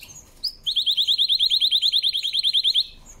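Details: Canary delivering a powerful song: one high note, then a fast, even trill of about twenty identical pulses held for two seconds.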